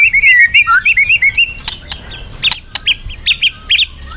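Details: Magpie-robin in full, loud song used as bait for other birds: a fast string of high bright whistled notes, then spaced sharp chips and twitters repeated several times per second.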